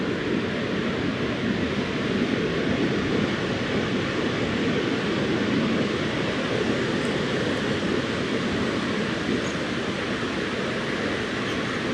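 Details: Steady, broadband rumbling noise, like a passing train or heavy traffic, fills the whole recording with no animal calls standing out.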